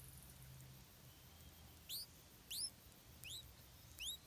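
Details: Stripe-throated bulbul chick begging while its mother feeds it insects: four loud, bright upward-sweeping squeaks with high overtones, spaced about half a second apart after a quiet opening.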